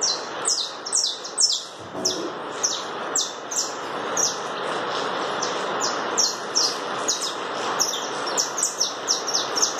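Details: Saffron finch, the canário da terra, delivering chapinha carritilha song: a long chain of high, quickly falling notes at roughly two per second, fairly steady, over a hissing background.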